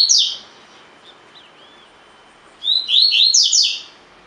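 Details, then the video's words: Collared seedeater in a cage, singing the tui tui fibra style for training: the tail of one phrase, a few soft notes, then a full burst of rising whistles accelerating into rapid bright twitters. "COLEIRO DE GOLA TUI TUI FIBRA"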